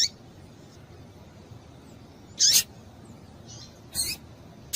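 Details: Female double-collared seedeater calls, used to stimulate males: short, harsh, high chirps at about 2.5, 4 and near 5 seconds over a quiet low hum.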